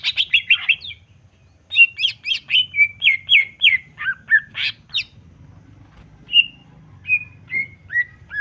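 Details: Stirring song from a Greater green leafbird: a rapid buzzy chatter of chirps, a brief gap, then a long train of slurred notes, ending with spaced falling whistles roughly every half second.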